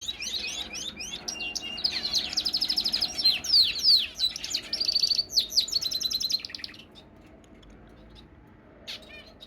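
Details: A Fife canary hen, busy building her nest, sings a fast, bright warble of trills, chips and rolling high notes for about six seconds, then falls quiet apart from one last chirp.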